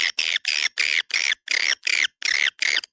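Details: A "Dua Bidadari" calling sound for attracting swiftlets in a central swiftlet area: nine loud, raspy, buzzy chirps, each about a quarter second long, given at a steady pace of roughly three a second.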